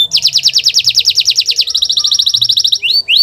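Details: Canary master song used to prompt silent birds to sing: fast trills of repeated rising notes, then a quicker buzzy roll and two long upslurred whistles.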